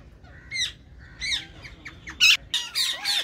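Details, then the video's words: Several green ringneck parakeets in a colony call together: short downslurred squawks build into louder, denser rasping bursts toward the end. "Ringneck Parrot Sound | Green Ringneck Parrot Colony"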